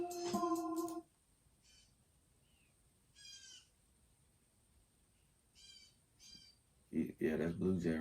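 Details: Blue jays, two to four of them, visit cat food bowls and two argue, giving a few harsh, buzzy calls spaced a second or two apart, fairly faint, with a person talking before and after.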